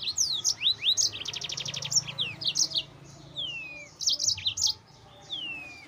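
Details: Lively yellow-fronted canary song meant to excite rivals, with fast rising and falling whistled notes, a rapid even trill of repeated notes, then chirps and long falling whistles.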